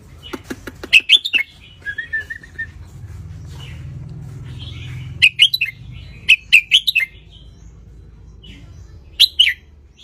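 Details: Wild red-whiskered bulbul of the Ratchaburi type, sunning itself, its song played to teach young birds to sing along; bright warbled phrases with sharp clicky notes in short bursts, separated by pauses, over a soft low hum.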